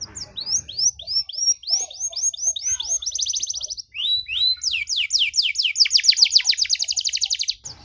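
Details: Canary singing, offered as material for training young canaries: series of quick whistled phrases, a dense rattling trill, then a long run of rapid sweeping notes growing louder.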